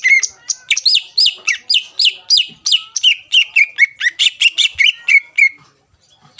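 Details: Greater green leafbird singing to provoke rival birds into answering: a fast run of loud, repeated whistled and chirping notes around a rising-falling phrase, about sixteen notes in five and a half seconds, then silence.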